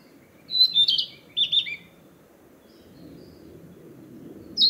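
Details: Narcissus flycatcher back in the forest to breed, announcing its territory: two sweet whistled phrases of slurred notes about a second apart, then soft background hum and the start of another call.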